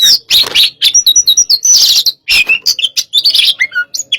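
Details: Energetic Oriental magpie-robin song, "hot type", from a stimulating session: harsh raspy bursts mixed with quick high whistles and chips, one brief break near the middle before the busy phrases resume.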